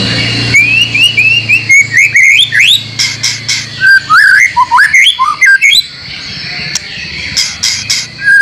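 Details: White-rumped shama (murai batu) training song for caged birds, with imitated material; a series of repeated upward-slurred whistles, then jumbled rising and falling notes, a brief pause and further clipped notes over a low hum.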